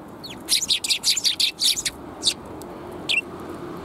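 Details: Sparrows, a tailless one among them, recorded on 17 January 2022 along a walk: a rapid burst of about ten sharp, high chirps over a second and a half, then two isolated chirps, over a low steady background hum.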